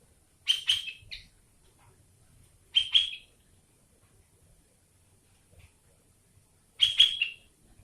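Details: Sooty-headed bulbul song with learned greater green leafbird material: three short bursts of sharp, bright chirping notes, the first a quick double, separated by pauses of about two and four seconds, with a quiet background.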